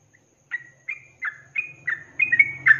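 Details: Sooty-headed bulbul singing ropelan style for a cage-bird training recording: a quieter series of eight whistled notes, each a short rising or falling slur, with a low rumbling noise growing toward the end.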